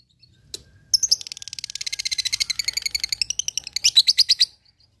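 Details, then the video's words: Lovebird in ngekek song, used to provoke rivals and train fighting birds: one sharp note, then a long rapid trill of high buzzy notes that grows louder and faster toward its end. "SUARA LOVEBIRD NGEKEK MEMANCING LAWAN"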